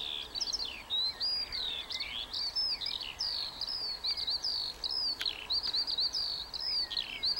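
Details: Skylark singing at Warfield, 1st of May 2013: a fluid, high warble of rising and falling chirrups, pulsing in short bursts with tiny gaps, over a quiet background.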